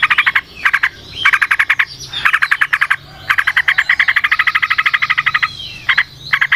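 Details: Forest-recorded yellow-vented bulbul in a long, fast 'ropel panjang' song used to lure others. Dense rattling phrases run almost without a break, with a long, even trill in the middle and thin whistles behind.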